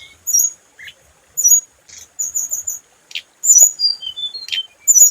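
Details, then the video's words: High scarlet minivet song used as a lure. Clipped whistled notes and short trills are broken by brief pauses, with a series of small descending whistles near the end. "Hồng hạnh mồi | Tiếng chim hồng hạnh mồi chuẩn | hồng hạnh hót"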